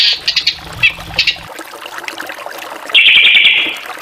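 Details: Drongo song: short stuttered clusters of buzzy chirps at the start, a quiet gap, then a prolonged harsh rasping buzz near the end.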